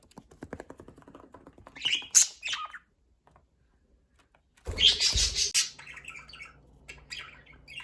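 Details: Budgerigars chirp and chatter in quick, scratchy bursts of high, warbling notes.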